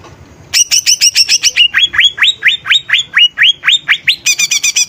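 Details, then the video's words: Greater green leafbird in full lively song, used to excite other birds: a rapid series of repeated whistled notes, shifting midway to lower upward-swept whistles, then a quick high burst. "Suara Cucak Ijo Gacor||Cocok Untuk Pancingan Burung||Dapat Menaikkan Emosi"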